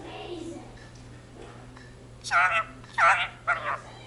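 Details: Pet Indian ringneck parakeet speaking Punjabi words of the jaikara "sat sri akal": faint background voices, then three loud, clipped, nasal spoken syllables in quick succession.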